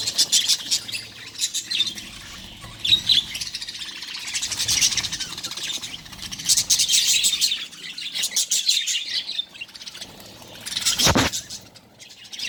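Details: Budgies in a breeding colony, colourful chicks together in one nest; bursts of rapid high twittering separated by quieter gaps, then a sharp knock near the end.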